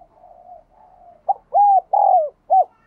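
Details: Spotted dove coo, intended to set a captive decoy bird cooing: quiet drawn cooing first, then a clear four-note phrase with a short hoot, an arched hoot, a long descending hoot and a final brief note.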